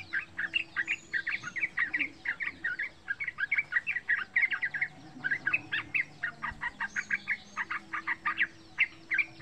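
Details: Young yellow-vented bulbuls (trucukan), about three months old, singing a lively wild-style song used as a lure to prompt other bulbuls: fast, continuous bubbly chirps repeated several times a second over a faint low hum.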